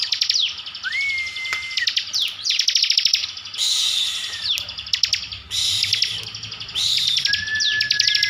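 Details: Kept bar-winged prinia from Slawi, Tegal, Central Java, in full 'tembakan' song: bursts of dry, rapid buzzy trills repeated every second or so, broken by level whistled notes.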